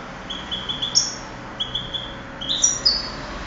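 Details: A 2008 contest European goldfinch sings high, tinkling, slightly buzzy phrases, starting softer and ending in a brighter trilled flourish.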